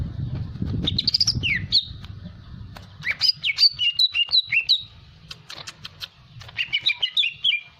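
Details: Greater green leafbird in hyperactive song meant to provoke singing: clear swooping whistles, then a string of quick rising and falling notes and a brief trilled phrase, with a steady low background hum.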